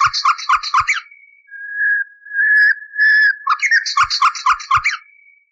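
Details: Common nightingale song from an old recording, made at least thirty years ago and cleaned of noise, meant for training canaries: rapid buzzy trilled phrases, then a sequence of pure, steady whistled notes, then another fast trill.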